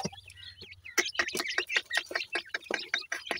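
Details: Jora pheasant (teetar) chicks calling: rapid, dense series of short high chirps and peeps, several birds overlapping, roughly two to three notes per second with brief rising whistles.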